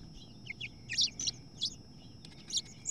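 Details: Nesting house finches during a fight between two females over the nest: short, sharp chirps come in small clusters, some high and piercing, others slightly lower, separated by brief quiet gaps.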